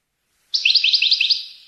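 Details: Goldfinch from Tunis singing the Rasta Torka style: a rapid trill of about eight sharply rising, metallic notes, evenly spaced and ringing out at the end. Clean, quiet background.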